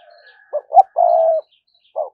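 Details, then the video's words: Lure spotted dove cooing in the thúc gù style to draw in wild doves: soft low hoots, a short note, a brighter note, then one long sustained coo, with a final short coo after a pause. "cu gáy mồi cây thúc gù bài bản"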